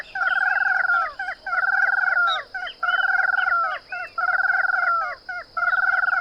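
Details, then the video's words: Ash-throated crake in Brazil calling loudly: a series of harsh, rhythmic phrases about a second long with descending slurred notes, repeated with brief pauses in between. "Sanã-carijó (Mustelirallus albicollis)"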